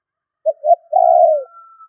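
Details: One phrase of a spotted dove calling to lure birds: two clipped coos leading into a long, mellow, slightly falling note, with a faint steady thin tone in the background.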